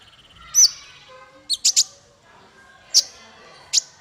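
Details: Master song for small fighter birds: isolated loud, sharp, high chirps and short doubled notes spaced by pauses over faint background twittering.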